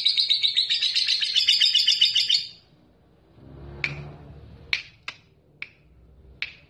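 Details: Lovebird ngekek chatter, used to provoke rivals: a quick, shrill trill for about two and a half seconds, then quiet with scattered sharp clicking taps.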